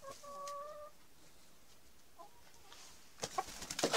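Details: A rooster with hens around mating gives a brief, steady, hoarse-toned note near the start, likely the end of a crow; later come a few quiet moments, then scuffling and flapping noises.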